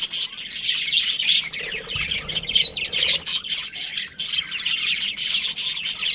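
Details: Breeding-season budgies chattering in a group: thick layers of shrill chirps and raspy squawks pour out nonstop, with a brief lull near the middle before the chatter swells again.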